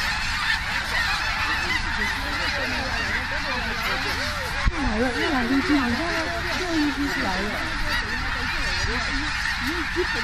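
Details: Tens of thousands of snow geese landing in Richmond, British Columbia, Canada, on October 21, 2005: a dense, continuous chorus of nasal honks, wavering and overlapping, with a steady roar of many voices throughout and a sharp thump near the middle.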